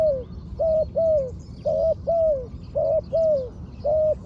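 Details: Trained spotted dove working as a ground decoy: loud, rough coos falling slightly at each end, in pairs about every second, over a soft low hum.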